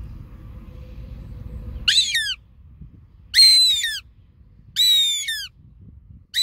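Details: Goshawk described as singing: after a low rumbling background, three strong, harsh, harmonic screams fall steeply in pitch, each lasting about half a second and spaced roughly one and a half seconds apart, with a fourth starting at the end.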